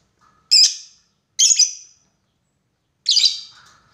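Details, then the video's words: Lovebird lure call aimed at a rival, long 'ngekek' style: three loud, raspy, high chirps with short tails, the first two close together and the third after a longer gap, over quiet surroundings. "SUARA BURUNG LOVEBIRD MEMANGGIL LAWAN,PANCINGAN LOVEBIRD NGEKEK PANJANG"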